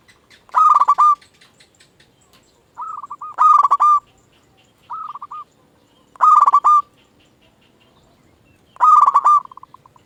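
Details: Lure song of a local zebra dove, meant to stimulate quiet doves to reply: five stuttering, rolling coo phrases at roughly two-and-a-half-second intervals, some loud and some softer, over near silence.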